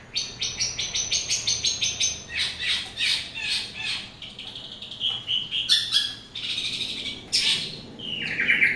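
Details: Morning song of a long-tailed shrike: a fast series of clipped, repeated notes, about six per second, giving way to scratchy bursts, a steady whistled tone and two harsh, loud rasping notes near the end.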